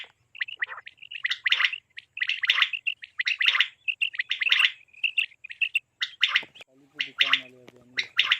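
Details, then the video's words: Quail calling in a steady series of short, buzzy, chattering bursts with brief whistled tones between them. A low, humming harmonic sound comes in near the end. "بٹیر کے لیے صاف آواز"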